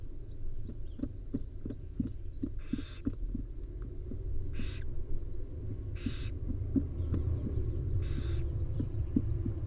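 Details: Wild barn owls at a nest, a mother grooming her five owlets; four drawn-out breathy hissing screeches come at intervals over a low rumbling background with soft ticking and shuffling sounds.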